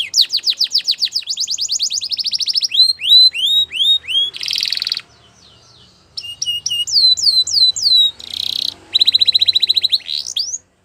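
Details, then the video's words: Belgian canary singing: rapid runs of high, down-slurred whistled notes in quick trills, broken by two dense buzzy rattles and a short pause near the middle, then resuming with repeated swooping notes. "Belgian canary singing"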